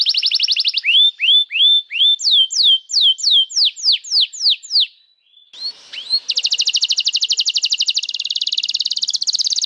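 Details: Actively singing canary, used to train young canaries and to coax silent ones: a long buzzy note, then repeated downward-slurred whistles, a brief pause, and a fast, even, rattling trill at high pitch.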